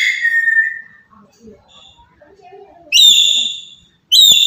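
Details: Papuan black-capped lory giving a loud lure call for other birds: one long falling whistle, a pause with soft murmuring sounds, then two strident ringing notes.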